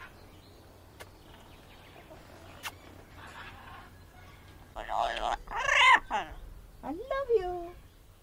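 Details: A yellow-naped amazon recorded in a quarantine area gives a burst of harsh, gurgling and warbling notes, ending in a bent, rising-falling squawk, after several quiet seconds with a few faint clicks.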